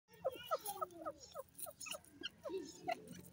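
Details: A Grey francolin in breeding season, near Dera Ghazi Khan, gives a quick, uneven run of short ringing notes, about a dozen in three seconds, some rising and some falling, over a low background rumble.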